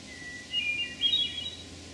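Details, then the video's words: Wild Hermit Thrush, Memorial Forest, Sudbury, Massachusetts, recorded June 11, 2012: a single song phrase with a long pure lower whistle, then a fast cascade of bright, higher fluting notes, against faint steady background noise. "Hermit Thrush Song"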